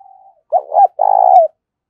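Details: Decoy spotted dove calling to stir rivals to fight, a faint steady note, then a broken double coo and a long trembling coo, with one tiny high click.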